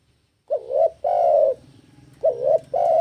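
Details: Spotted dove in breeding condition, singing eagerly to challenge a rival: two low coo phrases, each a short wavering note followed by a longer, steady, slightly falling coo, over a faint low hum.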